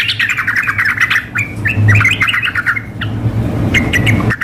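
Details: Female sooty-headed bulbul calling a male, combined with a vigorous male in a contest simulation: busy jumbled chirps and squawky notes, a slurred whistle, then sparse notes near the end, over a low mechanical hum.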